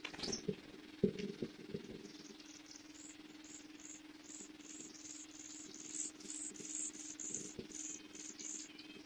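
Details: A pair of pied bushchats feeding their chicks; the chicks beg with very high, thin squeaks in quick repeated bursts, over a steady low hum and a few knocks.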